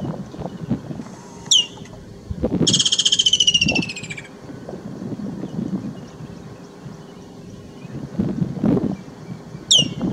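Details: Woodland kingfisher (Halcyon senegalensis), a summer migrant, calling near Crooks Corner in Kruger National Park, South Africa: a sharp high note, then a loud, fast trill sliding downward for over a second; low rumbling noise underneath.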